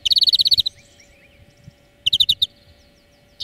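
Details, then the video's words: A greenfinch delivers a quick trill of around twelve ringing notes, falls silent for over a second, then gives a shorter trill of about six notes; the recording is a song lesson for training birds. "Florya Ötüm Dersi 4 Saat"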